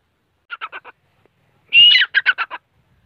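Grey francolin giving loud, harsh repeated notes: a quick run of four clipped calls, then a long shrill note followed by five rapid ringing syllables.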